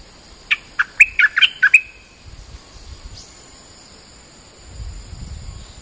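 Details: Bulbul (merbah lekir) lure-call recording: a quick burst of about seven bright, bubbling notes in just over a second, then silence, followed by a faint low rumble.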